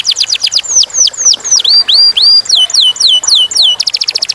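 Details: Clear-voiced canary with a lively varied song: quick downslurred whistles, longer drawn sweeping notes, a run of hooked phrases, then a fast high staccato burst.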